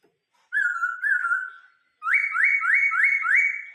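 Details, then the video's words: Caged Vietnamese laughingthrush singing the 'bắt cô trói cột' song: a wavering pure whistle, a pause, then five evenly repeated upswept whistled notes. "chim khướu hót bắt cô trói cột"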